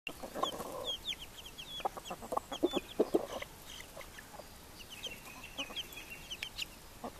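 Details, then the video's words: Hens with chicks: a run of short, low hen clucks, densest around the middle, over a steady scatter of thin, high chick peeps that often slide up or down in pitch. "Hühner und Küken"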